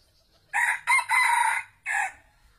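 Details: Red junglefowl (Gallus gallus) crows once: four harsh, clipped notes over about two seconds, the third note longest, ending on a short final note.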